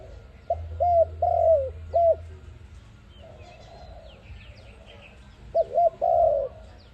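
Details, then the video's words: ARIMIX dove cooing, meant for trapping. One phrase of short and long coos, a gap with soft coos and distant small-bird chirps, then a second phrase ending on a long coo; low hum throughout. "Sound of ARIMIX dove quality sound to use for trap"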